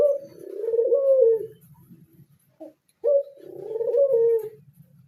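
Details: A captive pied Barbary dove gives two long descending coos, each opened by a short note. A faint low rumbling noise runs underneath.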